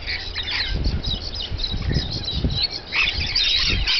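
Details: Rainbow lorikeets feeding: harsh, scratchy squawks and chatter in bursts, mixed with dull low thumps and fluttering wing noise throughout.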